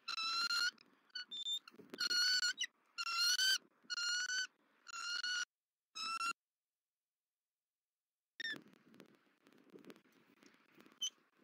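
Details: Female bald eagle returning to a Southwest Florida nest on December 31, 2023, screeching at the male as he feeds the eaglet: five loud, harsh, ringing screeches in quick succession, a pause, then faint thin chirps amid rustling.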